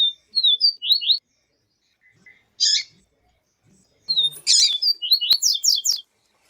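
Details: Papa-capim viviti, the yellow-bellied seedeater, with a female seedeater's call meant to stir up males: quick high twittering runs, an isolated buzzy note, then a dense rapid burst of piercing chirps.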